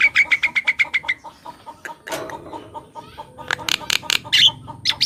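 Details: Javan myna singing, used as a lure and to get silent birds singing: a fast string of about ten repeated sharp notes, then scattered clicks, a harsh burst, and loud rasping chatter near the end.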